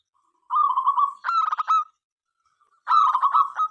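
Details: Zebra dove, local strain, singing to invite other doves into song; a purring trill leading into rapid clipped notes, then a pause and a second staccato cooing phrase.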